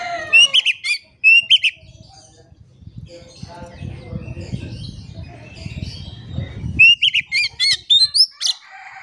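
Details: Oriental magpie-robin song played as a lure to make quiet birds sing: short whistled phrases and sharp chips at the start and end, with a stretch of low rumbling noise between.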